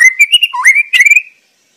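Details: White-rumped shama singing in the wild: a brief phrase of bright whistles that dips low, swoops back up, then ends in a few quick clipped notes before silence.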